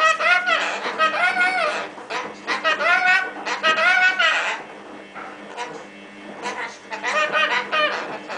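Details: Pet lorikeet indoors shouting at a washing machine: loud, harsh, ringing squawks in bursts of rapid notes, broken by short quiet pauses before the screeching starts again.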